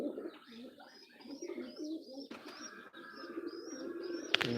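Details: Domestic pigeons on a pigeon farm, in their calling season, expected to lay eggs within days, coo in low, rolling, repeated phrases, with a few higher chirps over the top.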